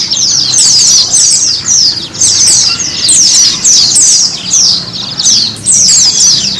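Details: Therapy song of a white-eye (pleci) for encouraging caged birds to sing; lively high twittering phrases in clusters, separated by short pauses every second or two.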